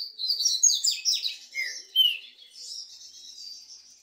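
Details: Two trinca-ferro birds in a singing contest: rapid, dense bursts of high chirps and slurred notes, then a softer, sustained buzzy trill fading out.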